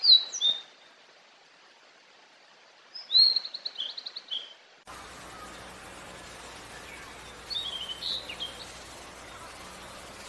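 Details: Blue-and-white flycatcher (Cyanoptila cyanomelana) song at Bogor: short, high, sweet whistled phrases with quick warbled notes, a few seconds apart, over a steady background hiss.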